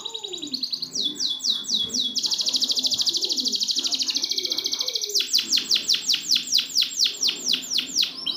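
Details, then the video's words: Canary song from a training recording for canaries that have stopped singing: high rapid trills, a long fast buzzy roll in the middle, then a series of descending swept notes repeated about twice a second. "Masteran burung kenari macet"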